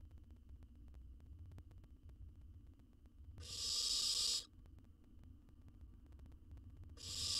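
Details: Baby owl in a research nest box in Israel, eating a jird, is quiet at first, then gives one loud, breathy rasping hiss and begins another at the end, over faint low hum.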